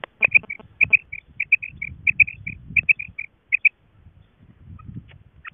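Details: Female quail associated with quail hunting: a steady string of short, high, paired chirps for nearly four seconds, then quieter low rustling and a single faint note at the close.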